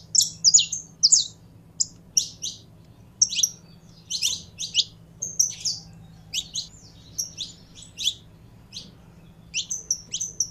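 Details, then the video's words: Saffron finch warming up, singing bright, high chirps and short trilled phrases in quick bursts every second or so, with a low steady hum beneath. "Canário da Terra Esquentando"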